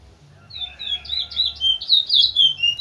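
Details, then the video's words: Large-billed seed finch (towa towa) from Linden, kept as a teacher bird to train other birds, singing a fast run of bright warbled and buzzy notes, rising in pace and loudness over three seconds, with a faint low hum beneath. "towa towa linden bird"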